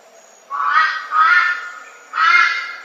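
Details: Red-billed Brush-turkey, much more often heard than seen: a loud, raucous three-note call with a lower first note and a longer gap between the second and third notes, the notes harsh and broad, lasting about half a second each.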